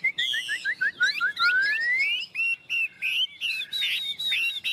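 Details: Caged tame Chinese hwamei repeating short whistled notes in a quick series, then one long rising whistled slur, followed by varied broken phrases with brief pauses.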